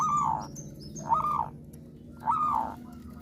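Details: {'caption': 'Zebra dove of a local strain, singing steadily: three drawn-out, rounded cooing notes about a second apart, each dipping slightly in pitch, over a steady low hum, with faint high chirps at the start.'}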